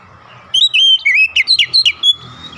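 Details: Lure song of an Oriental magpie-robin for prompting other magpie-robins to sing: after a quiet start, a fast string of bright whistled and slurred notes, sharp chips toward the end, steady mechanical hum underneath.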